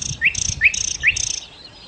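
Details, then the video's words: Nightingale song in full voice: three quick rising upslurred notes, each followed by a high sustained ringing tone, repeated about every half second. "kicau Sikata Londo( Nightingale Birds )-Kicau Burung"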